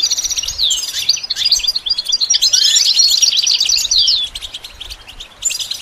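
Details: Goldfinch song used in training: busy, rippling twitter with quick trills and buzzy chirps, loudest in the middle, then fading into sparser notes.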